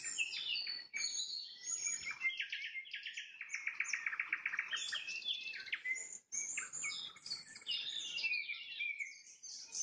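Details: At sunset a nightingale pours out a long, rich song: buzzy rattling trills, rapid repeated notes and high whistled flourishes, with only a short pause midway.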